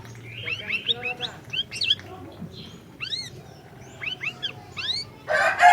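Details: Orange-bellied leafbird in lively song, meant to prompt a quiet bird to sing: a rapid run of bright whistled slurs, some rising and some arched, in quick clusters, ending with a harsh, loud rasping burst.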